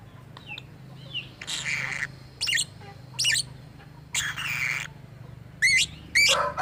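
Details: Kept lovebird said to make strange sounds and imitate human speech: harsh broadband squawks lasting about half a second, separated by short sharp chirps and rising whistled notes, with a low steady hum underneath.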